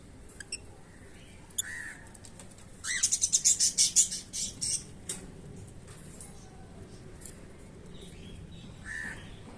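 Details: Pet lutino lovebirds around the time one has laid an egg: a burst of rapid, high, harsh chattering notes over about two seconds, with a few scattered shorter calls before and after and faint rustling.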